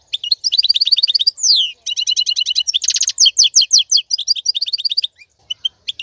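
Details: Male European goldfinch song for tutoring young birds: rapid twittering, fast repeated high notes, liquid slurred phrases and a dense buzzy burst mid-phrase, all bright and high-pitched, with brief pauses between runs.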